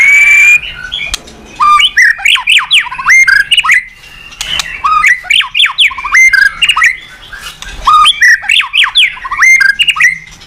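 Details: White-rumped shama (murai batu) in a long, loud song for provoking other birds to sing: clear whistled notes with rising and falling slurs, rapid chattering phrases and bursts of high notes, delivered in dense repeating sequences with only brief pauses.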